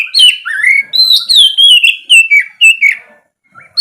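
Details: Oriental magpie-robin in loud morning ngeplong song meant to stir reluctant birds: rich rising and falling whistles strung into one flowing phrase, ending in a short pause and faint notes.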